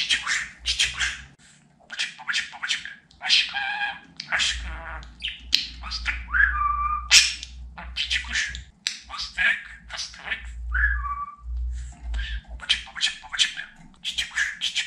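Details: Indoor pet budgerigar in a long run of rapid clicky chatter and mimicked speech, broken twice by clear falling whistles, with a continuous low hum in the background.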